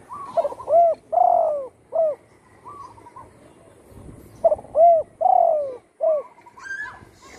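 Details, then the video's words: Spotted dove singing at home, once shot with a broken wing and now in full voice; two complete cooing phrases about four seconds apart, each with a stuttering start, rounded coos, a long descending coo and a brief final note. "burung tekukur,yg dulu di tembak orang kena sayapnya patah,kini sudah gacor di Rumah"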